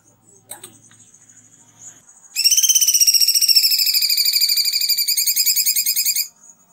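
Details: Kunti song used as a tutor recording for cucak ijo, kacer and murai: a rapid, buzzy trill of high, bright notes lasting about four seconds, preceded by a faint click and low background murmur.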